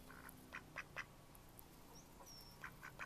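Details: Mallards recorded in May 2014: two small groups of three quick nasal quacks, with a brief thin high whistle from another bird between them.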